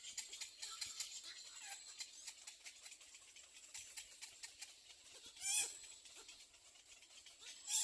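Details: Little egret chick at a nest, biting its mother for food; faint rapid ticking and hissing, then a short harsh squawk rich in overtones near the middle, with another sharp burst at the very end.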